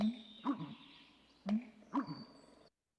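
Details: Male American bittern (Botaurus lentiginosus) pumping after gulping air: deep, hollow gulping booms in two quick pairs, each opening with a soft bill snap, plus a faint high electronic whine.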